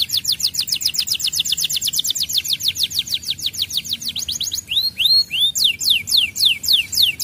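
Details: Canary training song to draw a response from other canaries: a long steady trill of falling notes, then several slower, rounded whistled phrases near the end.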